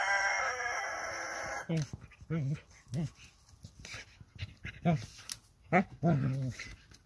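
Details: At nightfall in a henhouse, a very young rooster's strained crow cuts off after about two seconds, followed by a string of short, low, throaty clucks and squawks from the hens.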